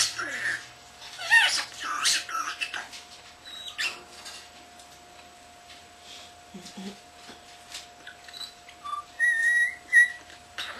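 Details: A young pet common starling under a year old mimics in a rambling medley of speech-like chatter such as "pretty bird", sharp clicks imitating camera beeps, and clear whistled notes. A steady electrical hum runs underneath.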